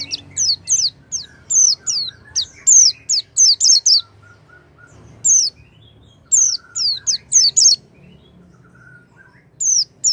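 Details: Oriental white-eye song offered as a trigger for a quiet white-eye. Quick clusters of piercing, high downslurred whistles in phrases separated by pauses of a couple of seconds, plus soft lower twitters between phrases.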